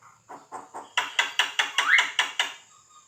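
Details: Black-winged starling (jalak kebo) in lively song, kept as a training bird for songbird competitions: a run of eight loud harsh rhythmic notes about every quarter second, with a brief rising whistle near the end.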